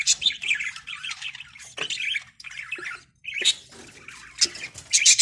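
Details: Budgerigars in a breeding colony chatter in a busy mix of high, scratchy warbles and sharp chirps.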